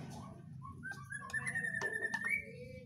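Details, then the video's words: Whistling thrush in an agitated state, singing drawn-out level whistles that rise slightly at the end, with clicks and a low background hum. "burung CIUNG BATU yg lagi NGAMUK"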